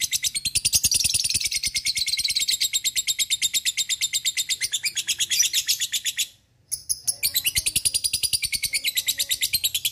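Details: Fighter lovebird in ngekek style, a long continuous chatter used as a training lure to make other lovebirds chatter: rapid, high-pitched, buzzy trilled pulses running unbroken for about six seconds, a brief pause, then resuming just as fast.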